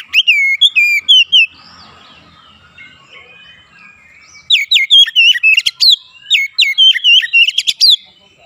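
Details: Oriental magpie-robin song: an opening phrase of sharp whistled notes, a quiet pause with soft warbling, then a long rapid run of loud, repeated chirps and whistles with sudden high clicks.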